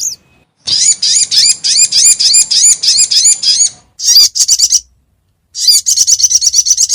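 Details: Crimson sunbird lure call used for trapping, meant to bring birds straight down: rapid series of sharp, high, upward-hooked chirps, about three per second, then two brief pauses and another dense burst of high twittering.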